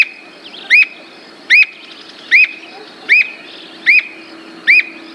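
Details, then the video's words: Squirrel cuckoo song: six sharp, high whistled notes that rise and drop, one about every 0.8 seconds, over a faint low hum. "Canto do Alma de Gato"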